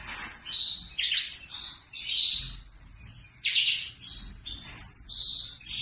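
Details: Red factor canary singing a continuous, varied song of bright whistled trills and warbled phrases, with steady low background noise throughout.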